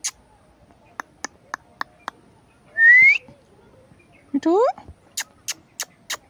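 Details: Indian ringneck parakeet making sounds: crisp clicks, a loud rising whistle, a harsh harmonic call that sweeps upward, then another series of clicks.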